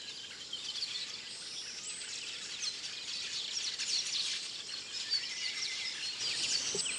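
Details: Village weaver, subspecies graueri, recorded in Akagera National Park, Rwanda, in March 2013: thick overlapping chattering and wheezy buzzing from many birds, steady throughout, with quick scratchy notes and short squeaky accents rising and falling in intensity.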